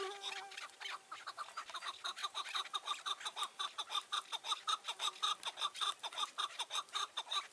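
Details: Chukar partridge calling on a mountain on a June 2018 evening, during partridge trapping with a decoy: a harsh, clucking chuck note repeated almost twice a second in a steady series, loud and close.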